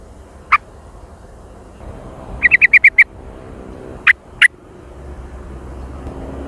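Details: Sooty-headed bulbul calling, a very active and noisy lure recording with jontrot: one sharp note, then six fast clipped notes in a chattering string, followed by two separate notes over a soft background hum.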